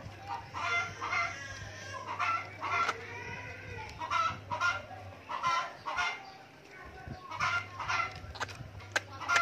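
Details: A long-tailed shrike being trained to become tame gives harsh, clucking chatter in short bursts, about one every two seconds, over a steady low hum, with a person speaking briefly.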